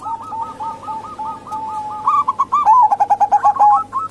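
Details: Female zebra dove of local stock, played to entice reluctant males or wild birds: an even string of short curled coos, then louder, quicker rolling notes, with a steady hum underneath.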